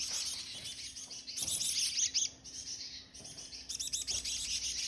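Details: Chickadees at a feeder give high, thin chips and twittering notes in two quick bursts, with a faint steady hum behind them.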